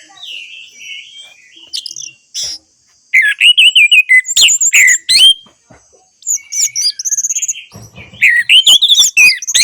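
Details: Orange-headed thrush song played to encourage silent birds: varied whistled phrases in loud bursts separated by short gaps, mixing clear slurred whistles, quick chattering notes and high thin calls.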